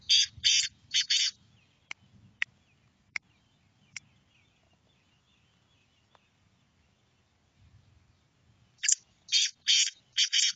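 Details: Rasping call of a black francolin, three loud scratchy notes, then a pause filled with sharp ticks and faint rumble, followed by a second bout of four harsh notes.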